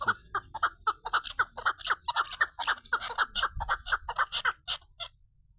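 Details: Female chukar partridge, possibly recorded 2 August 2025, gives a fast run of harsh, clucking chuk notes, about four a second, over a low background rumble.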